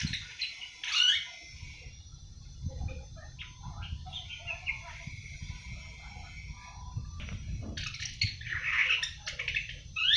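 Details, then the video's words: Young seven-month-old awar-awar trying out its first song: bursts of harsh, crowded chatter at the start and end, separated by a few faint notes over steady low noise. "Burung awar awar 7 bulan mulai ngriwik"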